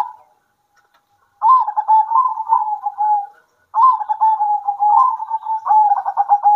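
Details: Local zebra doves singing at midday, answering each other: two long cooing phrases of rapid pulsed, slightly rising and falling notes, with a short quiet gap between them.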